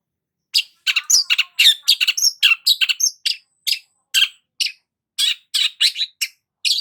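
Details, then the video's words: Vigorous song of a long-tailed shrike, a fast medley of sharp chirps, trills and squeaky whistled notes with short pauses, delivered continuously, clear and unaccompanied. "BURUNG CENDET GACOR"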